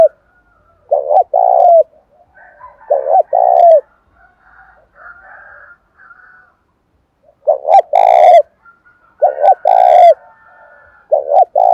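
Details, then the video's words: Seventh-month spotted dove in wind and rain, stirred up to fight and provoke wild birds: repeated low coo phrases, doubled note then long coo, broken by a pause with softer faint calls in the middle. "Tiếng chim cu gáy thúc đấu tháng bảy mưa gió rất căng"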